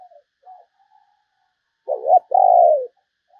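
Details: Spotted dove kept as a lure for wild doves: faint soft notes, then one loud, low coo made of a brief wavering note and a longer, falling, drawn-out note.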